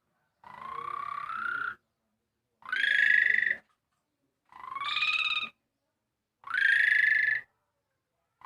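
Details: Javan pied starling singing an imitation of a motorbike starter: long buzzy harmonic notes about a second each, some rising, repeated with short pauses between, four phrases in sequence.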